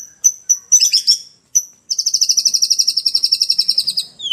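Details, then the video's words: Songbird voice, given as a white-rumped shama: a few sharp high chips, then a fast, even trill of about twenty bright high notes lasting two seconds, ending in a brief falling slur. "Murai Batu nirwana Gacor"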